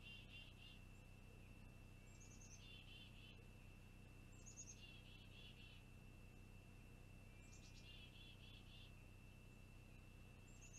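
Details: A young long-eared owl waits for its mother or father to arrive with a meal, recorded by a live camera in June 2020: repeated high, rasping squeaky bursts roughly every two to three seconds, each trailing off, against constant hiss and a high steady tone.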